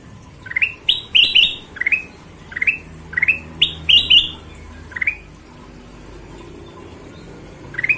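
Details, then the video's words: Golden-vented bulbul, called kutilang emas, singing lively; short bright rising whistled notes, often doubled, repeated in a quick run for about five seconds, then a pause and one more note, over faint background hum. "Suara Kutilang Emas Gacor"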